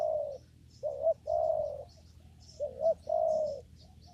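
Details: Mellow spotted dove call recorded during trapping in a papaya garden: a long coo, then two phrases each opening with a quick rising note and ending in a sustained low coo, faint high chirps behind.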